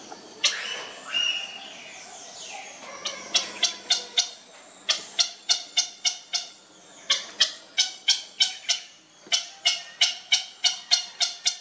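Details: Baby grey heron during feeding: bursts of rapid, dry, ticking clicks, about three to four per second, in runs separated by short pauses, with some harsher raspy noise at the start.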